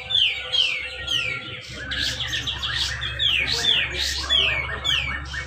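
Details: Grey-cheeked bulbul in competition at Malinau, North Kalimantan, singing rapid 'rapet' song used to coax silent birds to sing. Strings of clear, down-slurred whistles alternate with harsher chattering bursts, over a low background hum.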